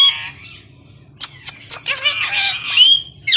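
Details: Two green parrots kept as pets talk to each other in Urdu; after a quiet, hissy stretch come sharp clicks and then a burst of raspy chatter ending in a rising whistled note.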